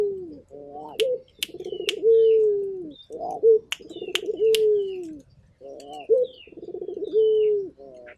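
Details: Series of coos from an actively calling local turtle dove: low rolling trills leading into sustained, slightly falling hoots, about three phrases, with short higher whistles of small birds and occasional clicks behind.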